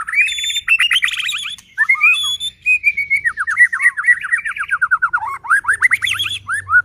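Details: Murai batu (white-rumped shama) in nonstop song used to make other shamas sing: long strings of rapid, rising and falling whistled notes, chattery trills and a few pure high tones, loud and clear.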